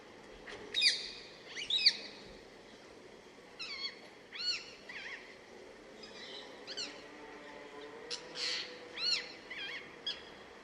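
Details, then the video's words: Rose-ringed parakeet calling: a series of sharp, rising-and-falling screeches repeated irregularly about once a second, some overlapping, over a quiet natural background. "Call of Rose ringed parakeet"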